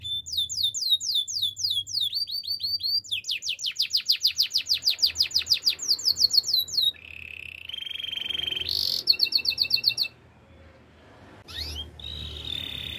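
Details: Canary song used for training, a long varied phrase of rapid repeated sweeping notes, fast ticking trills, a steady buzzy tone and high piercing whistles, with a brief quiet gap near the end.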